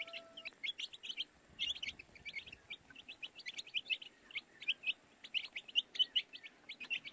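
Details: Chorus of baby chicks giving rapid, high-pitched cheeps in quick uneven bursts, many peeps per second, steady throughout, over a faint low background hum.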